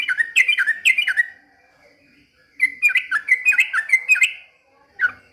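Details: Yellow-vented bulbul pouring out shama-like song: a quick bubbly phrase of paired whistles, a pause, then a longer fluid run of liquid notes, closing with a single call.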